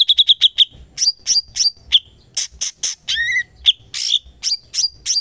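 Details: Cucak cungkok in active song for tutoring songbirds: an opening burst of rapid notes, then spaced slurred chirps and a rich warbled phrase with a lower whistled tone.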